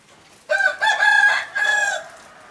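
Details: Captive yellow hybrid red junglefowl crowing loudly: an abrupt hoarse first syllable, a longer strained middle section, then a steady final phrase that trails off, with little else heard.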